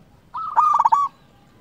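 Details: One short phrase from a local zebra dove: a sustained mid-pitched coo broken into quick rolling pulses, lasting under a second, against quiet background hum.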